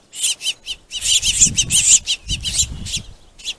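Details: Finches fighting over plentiful food, a dense run of scratchy, raspy chatter calls in quick succession, with low thumps and fluttering beneath.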